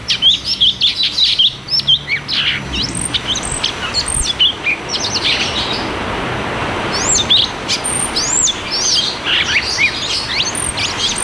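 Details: Cucak cungkok song in a rolling 'ngeroll tembak' style, played to coax caged birds that have stopped singing: rapid, high, whistled and chirping notes. The phrases sweep up and down and are repeated in dense bursts, with a faint rural background.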